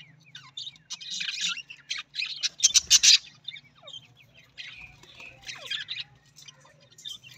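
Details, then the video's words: Budgerigar, the Australian parrot, in bursts of harsh, buzzy warbling chatter mixed with quick squeaks and clicks, pausing briefly between phrases, with a faint low hum underneath. "Australian parrot voice Budgies parrot voice"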